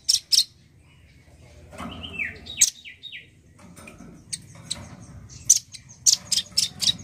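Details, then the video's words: A male nuthatch gives sharp, high ticking notes in irregular bursts, with a few quick descending whistles midway, over a faint low hum. "Suara burung rambatan jantan gacor"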